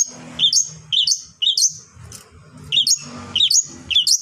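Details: Long-tailed shrike singing to provoke other shrikes into song: paired, squeaky whistled notes in quick bursts, a short pause, then the bursts resume, over a low hum.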